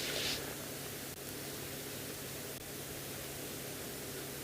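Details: Steady hiss of static with a faint low hum and no animal voice anywhere.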